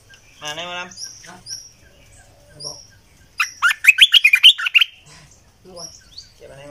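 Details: {'caption': "Man's speech first, then a red-eyed bulbul decoy call bursts out as a fast run of liquid, tumbling notes lasting about a second and a half, followed by scattered faint chirps."}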